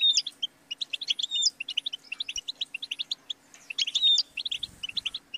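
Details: European goldfinch song of rapid tinkling chirps with two clear whistled glides, the notes pouring out almost without pause, a soft low hum beneath.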